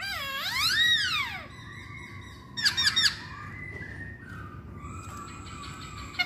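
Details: Lure song of a masked laughingthrush opening with a loud, rich, arching whistle that rises and falls, followed by a harsh chattering burst and softer, thin level whistles over steady low hum.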